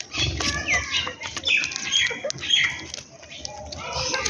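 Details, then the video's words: Sparrows eating food in the morning: quick, sharp high chirps overlap among several birds, with bursts of fluttering wingbeats and soft rustling in the background. "Sparrows Chirping Sound"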